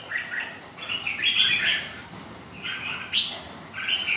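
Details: Red-whiskered bulbuls kept as sparring rivals, singing against each other on a rainy, windy day; rich warbled phrases rise and fall in two clustered bursts with a sharp high note between, over low background hiss.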